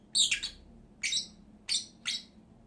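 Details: Two pet lovebirds: four loud, shrill, rasping squawks at uneven intervals, each short and piercing.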